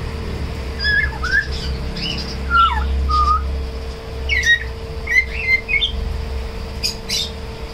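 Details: Tame African grey parrot indoors making short whistled notes, some rising and some falling, in scattered bursts over several seconds, with a steady electrical hum and low rumble behind.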